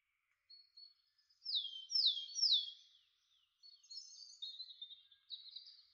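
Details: Greylag goose (Anser anser) family with young at Het Oude Loo palace, Apeldoorn, in May 2013: goslings give thin, high peeps that slide downward, three loud ones in quick succession then softer twittering. No deep adult honks.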